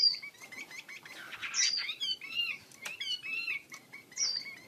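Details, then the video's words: Chinese hwamei (wambi kembang) in full song with wings spread: a quieter mix of varied whistles, slurred upward notes and brief chirps over a faint hiss. "KICAU HWAMEI WAMBI KEMBANG GACOR BUKA SAYAP"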